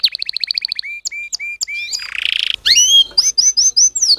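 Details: Canary singing a training song: quick high trill, spaced whistled notes, a buzzy rattling burst, then varied rising and falling whistles and chirps in quick succession.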